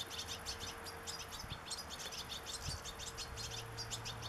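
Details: Young European goldfinch begging as it is fed sunflower seeds, 27 August 2014; dense, fast high-pitched chirping continues without pause, over a low steady hum and occasional soft knocks.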